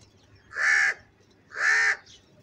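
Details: Crow giving loud, angry calls: two long harsh caws, each about half a second, separated by a one-second pause, with a faint short note after the second and quiet background.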